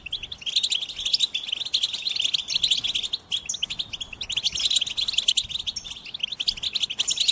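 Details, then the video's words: Goldfinch singing: a rapid, continuous stream of twittering, tinkling notes held high, with brief pauses near three and six seconds before the chatter resumes. "Experience the Goldfinch Singing"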